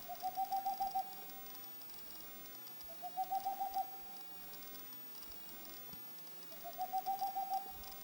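Boreal owl giving quick bursts of six to eight soft, mellow hoots, each burst slightly rising and repeated about every three seconds, over faint background hiss.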